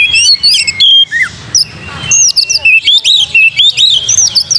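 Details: Oriental magpie-robin singing to provoke other birds into song: loud, varied whistled phrases with rising and falling slurs and quick chirps, repeated in short bursts throughout, with faint bird chatter behind.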